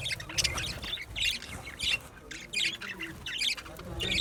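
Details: Budgerigars in an aviary chirping: bursts of bright, scratchy high chirps come in uneven clusters about every half second, with a low rumble of background noise underneath.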